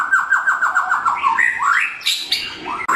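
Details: Blorok white-rumped shama singing in the morning, used as a training lure; rapid run of repeated short descending notes, then rising whistles and a harsh high burst.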